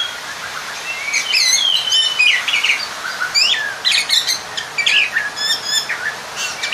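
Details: Kacer (Oriental magpie-robin) lure song aimed at calling a rival. The bird delivers energetic mixed phrases of sweet whistles, sharp high chirps and rasping notes, rising and falling in loud pulses throughout.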